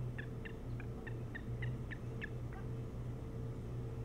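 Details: Osprey at a nest on Hog Island near Bremen, Maine, filmed by a nest camera on 3 July 2018 around 4:36–5:06 in the morning: a quick run of about eight short, sharp whistled chirps, roughly three per second, over a steady low hum.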